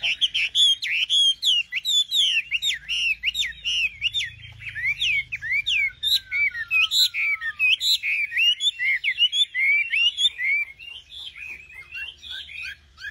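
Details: Long stretch of nightingale song: a rich, unbroken stream of high whistles, sharp chirps and swooping notes, including one long falling whistle midway, sung loudly throughout.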